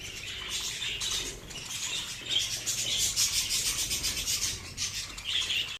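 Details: A breeding colony of budgerigars producing a constant rasping, scratchy chatter mixed with thin high chirps, many birds calling at once with pulsing loudness.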